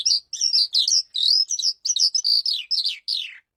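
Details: Calandra lark from breeding stock, singing in an aviary: a clean, rapid string of high chirps and twittering notes, some rising or sliding down, packed into short bursts about three a second, ending in a falling slur.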